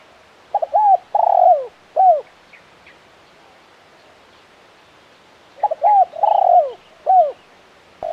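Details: Spotted dove in lively KUK 1 calling style, crisp voice: a stuttered pair of short notes, a longer drawn coo bending downward, then a clipped ending coo, repeated after a long silence.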